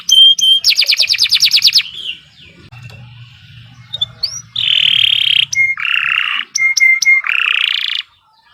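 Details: Kenari Nusantara canary giving long 'gacor' song for masteran tutoring: fast buzzy trill, a short pause, then loud rolling notes, sharp clipped chips and a rising trill. A faint low hum runs underneath.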